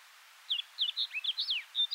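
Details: A wild snow bunting at Kiritappu, Hokkaido, in June 2015, gives a quick, high twittering run of about a dozen short, varied notes, some rising and some falling, over faint background hiss.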